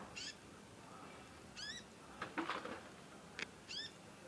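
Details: A young conin learning to sing gives long nyecet chirping: a few curved harmonic chirps separated by knocking and rustling noises.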